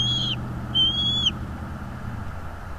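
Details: A bald eagle calls at a northeast Florida nest, caught by a nest camera on the morning of 22 February 2022: two piercing, thin whistled notes, each ending in a downward slur, over a low constant hum.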